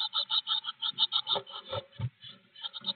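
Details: Blue tits inside a nest box on 25 May 2021 give thin, high cheeping notes in a fast, uneven stream, several a second, with soft thumps and scratching between them.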